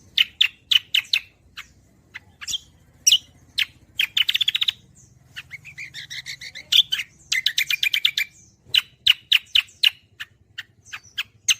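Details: Lengthy gacoran performance by a cucak kombo, used to teach songbirds: scattered sharp chirps interspersed with fast warbled and trilled runs of varied bright notes, over a steady low hum.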